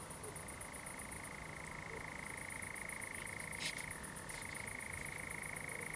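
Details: Common nightjar singing at night in a pine plantation at Zamudio, Txorierri, Bizkaia, on 7 July 2020, among fireflies: a steady, unbroken mechanical churr that drops briefly in pitch near the fourth second, over constant high pulsing insect chirps.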